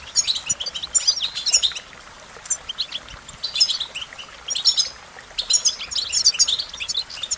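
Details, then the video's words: American goldfinch singing in lively high-pitched twitters, clusters of quick chirps and sweet slurred notes coming in bursts roughly every second or two, separated by short quiet gaps. "Goldfinch Melodies: A Collection of the Most Beautiful Songs"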